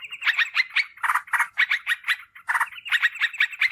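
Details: Yellow-vented bulbul call used as a lure for wild birds and as a tutor for kept birds: quick bursts of rich, bubbly chatter repeated in uneven clusters, short gaps between bursts.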